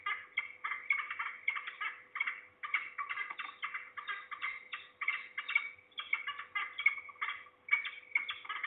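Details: At least two falcons heard near Trzebież, Poland, 2 September 2019, afternoon, perhaps a juvenile or adult; an almost unbroken run of raspy, stuttering kek-like notes in short clustered bursts, over a low constant electrical hum.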